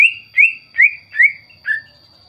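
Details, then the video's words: Greater green leafbird song meant to make other birds answer and join in: five clear slurred whistles, each falling slightly, spaced about every 0.4 seconds over a steady faint high tone. "PANCINGAN CUCAK IJO GACOR, CUCAK IJO LAIN MESTI NYAUT DAN IKUTAN GACOR"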